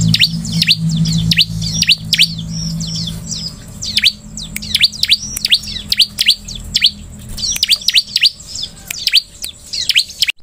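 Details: Bar-winged prinia (Prinia familiaris), song.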